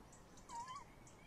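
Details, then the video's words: Tawny owl heard outside its nest box at 21:45 on 30 May 2015, with a pair present; one brief dipping then rising call, split into two joined parts, over soft background noise. "Bosuil M in de kast V buiten uilen lang te horen"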